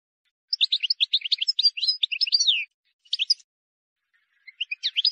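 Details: Wild European goldfinch song, free of errors, for tutoring chicks: a two-second run of rapid sparkling notes ending in a drawn-out slurred note, then two shorter twittering bursts, clean and otherwise silent.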